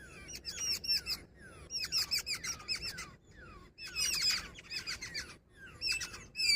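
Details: Female jungle babbler giving loud bursts of squeaky, harsh chattering mixed with slurred descending notes, in clusters broken by brief silences.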